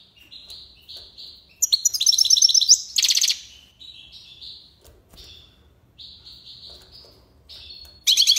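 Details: Algiers goldfinch in tiwawati song: short stepped whistled notes, a rapid ringing trill, a harsh buzzy burst, then more spaced whistles and a final buzzy phrase.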